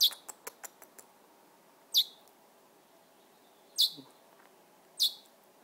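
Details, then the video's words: Little wild bird chirping while perched on a person's shoulder: short high chirps, a quick run of soft ticks at the start, then single sharp notes about every two seconds; a voice says goodbye nearby. "Chirping Little Wild Bird"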